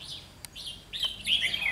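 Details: Red-whiskered bulbul decoy bird during trapping in Vietnam, 30 June 2020: a brief run of bright, slurred chirps building into a louder twittering phrase, with a sharp click in the middle.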